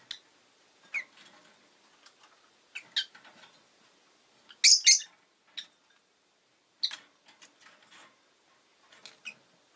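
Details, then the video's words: Rosy-faced lovebird giving scattered short, sharp chirps over ten seconds, with a louder double screech in the middle and softer ticking notes between. "Lovebird Chirping Sounds"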